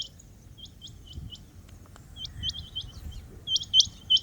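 Rain quail giving sharp, high, metallic notes in quick pairs and short runs, growing louder toward the end, over a low background rumble.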